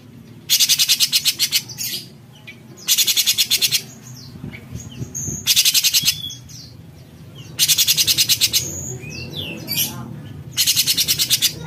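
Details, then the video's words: Cucak cungkok bulbul singing actively in a raspy besetan style: five loud, harsh, buzzy bursts of rapid rattling pulses, each about a second long and repeated every two to three seconds, with faint chirps of other birds between. "Besetan Cucak Cungkok Gacor"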